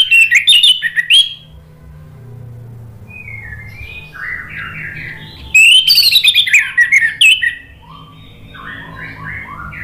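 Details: Orange-headed thrush song intended to make a silent bird sing in reply. Loud high whistled bursts alternate with quieter, lower descending warbled phrases, over a faint constant low hum.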